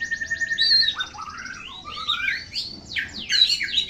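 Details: Lively oriental magpie-robin (kacer) song, varied high whistles, trills and looping slurred phrases, some buzzy repeated notes at the start, fast and continuous, with faint low background noise.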